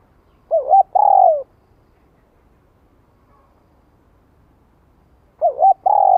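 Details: Lure calls of a spotted dove, '2 hậu lỡ' style, for training freshly caught birds. Two cooing phrases about five seconds apart, each a brief wavering note followed by a drawn-out descending coo, with silence between.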